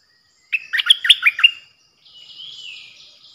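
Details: Bright tumbling phrase of about six chirped notes from a decoy bulbul recorded 8 May 2021, then a faint, long, softly rising whistle.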